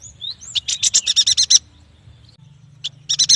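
A yuhina gives a fast run of about nine high, bright chirps, opening with two thin rising whistles, then a single note and a shorter burst of chirps.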